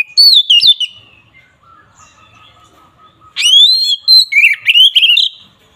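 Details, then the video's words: Kacer, the Oriental magpie-robin, in provoking ngeplong song: a falling whistled phrase, a faint steady low tone, then a loud run of rising and dipping whistled notes. "Suara burung KACER NGEPLONG ini samgat ampuh untuk menaikan emosi lawan"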